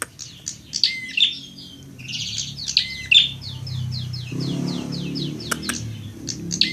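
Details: Fighting prinia on a training recording: bursts of shrill, piercing chirps alternate with runs of quick downslurred notes. Low rumbling noise comes in midway.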